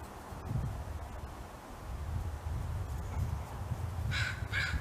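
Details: Crow giving territorial alert calls during a fight over a plate of food: two harsh, raspy caws in quick succession near the end, over a steady low rumble of wind or handling noise.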